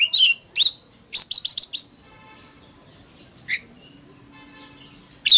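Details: Oriental magpie-robin fighting song: a few loud sharp chirps and a burst of four quick notes, then quieter thin whistles and a faint trill, ending with another sharp note; soft low background hum.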